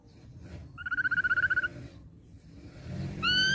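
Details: Young wild-caught ashy drongo producing a quick rattling trill of evenly spaced notes, then after a gap a sharp, rising whistle.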